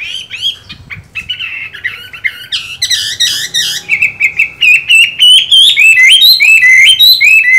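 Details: Chinese hwamei with green-bean eyes, still in good voice during its moult, delivers fast repeated notes that build into a strong, continuous stream of clear, bouncing whistles that climb and dip.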